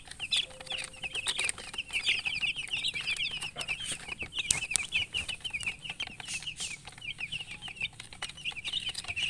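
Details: Chicken chicks kept with a hen: a dense, continuous chorus of high, thin peeps overlapping from several chicks, with scattered clicks and rustling underneath throughout.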